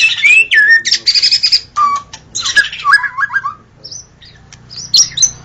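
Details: White-rumped shama singing in a forest: a rich, varied song of whistled slurs, rising and falling notes and quick high chips, phrases broken by short pauses.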